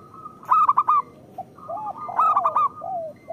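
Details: Lure song of local zebra doves, played to prompt lazy birds to sing. Two loud clusters of rolling, pulsed coos, each followed by softer, lower, drooping notes and a short, steady, higher trill.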